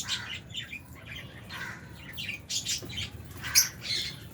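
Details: Albino and Fisher's lovebirds feeding in an aviary alongside budgies, giving a busy run of harsh, squawky chirps in quick irregular bursts, several birds calling over one another, with a soft low hum underneath.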